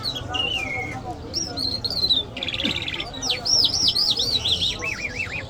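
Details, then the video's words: Mashhadi Iranian lark song mixing drawn-out descending whistles, a buzzy rattle and rapid looping whistled notes repeated in a bouncing series, with a soft low hum behind. "Jal Birds Iranians Lark Sounds | صدای طرقه، مشهدي مست"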